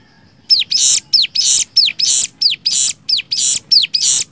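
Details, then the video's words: Cigun tutor song in nembak style: ten evenly spaced bursts, each a clear, high whistle bending downward and then a loud, noisy hiss, repeated roughly twice a second. "MASTERAN CIGUN NEMBAK 6 VARIASI"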